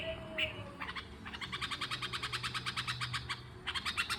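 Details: Red-vented bulbul giving a fast, steady series of short chirping notes, about six a second, that stops briefly and then resumes, with a low hum underneath.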